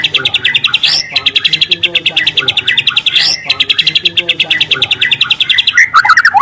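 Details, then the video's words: Free-living speckled juvenile white-rumped shama performing long, loud canary-style trills: fast buzzy notes run for about two seconds, broken by a rising sweep, repeat, then turn into quick whistled slurs. "Suara asli murai lepas trotol dengan tembakan kenari panjang dan keras"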